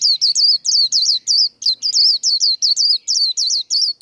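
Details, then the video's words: Singing-contest white-eye, 'líu' style: an unbroken four-second stream of high, bouncing, down-curving notes at a steady quick pace, loud and clean. "Vành khuyên líu đấu | Kích lửa vành khuyên líu đấu"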